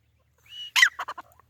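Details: White francolin (white teetar) giving a short call: a thin whistled note, then a harsh broadband burst followed by three quick clucking notes, in otherwise quiet surroundings.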